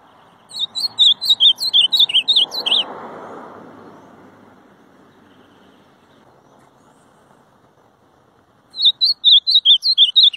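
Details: Ultramarine grosbeak repeating its song twice, each a brisk two-second string of bright, slurred whistled notes, separated by a long pause filled with faint traffic rumble.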